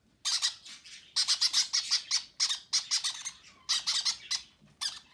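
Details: Begging baby conures during feeding by their parents: loud, continuous runs of harsh, pulsing squawks, strongly rhythmic and raspy, in a quiet indoor setting, February 6.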